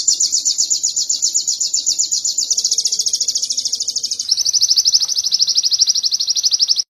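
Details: Canary song used as training material for songbirds: a long, continuous, high trill of rapid buzzy pulses that shifts to a slightly lower, louder roll partway through and keeps a steady rhythm to the end.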